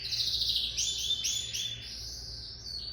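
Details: Lizard canary song of dense, high buzzy warbling notes blending into a continuous rolling phrase, then softer thin whistles toward the end, over a low background hum.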